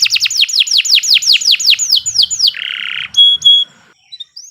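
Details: Canary singing a long, nonstop master song used for training other birds: a rapid series of about a dozen sharp, downward-swept high whistles, then a harsh buzzy trill and a few clipped high notes, with brief pauses near the end.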